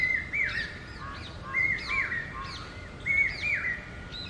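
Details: Common hawk-cuckoo (papiha, the brain fever bird) calling: a run of shrill whistled phrases with sliding, falling ends, repeated about every second and a half, with softer overlapping bird chirps behind.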